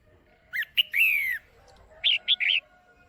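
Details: Female red-whiskered bulbul in a cage, calling to rouse a male or for pairing. Two short chirps lead into a longer downslurred note, then a tight run of three bright chirps after a short pause.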